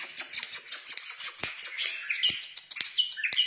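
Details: White-eared bulbul, a wild bird, in song: a quick run of thin high repeated notes with sharp clicks, then fuller slurred whistled phrases.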